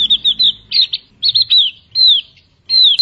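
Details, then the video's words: Javan grey-throated white-eye giving a busy string of high whistled notes, quick doubled chips and drawn-out descending slurs, nearly continuous over three seconds. "Burung Opior Jawa, burung opior gacor"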